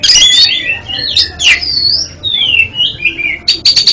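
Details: Oriental magpie-robin song as therapy for a bird whose song stutters: dense opening chatter, long slurred whistles descending in pitch, and a closing rapid string of sharp clicks.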